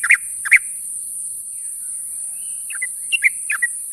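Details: Morning call of a sooty-headed bulbul summoning companions: two loud chirpy notes at the start, a quiet gap, then a scatter of short whistled notes near the end, with faint background hiss.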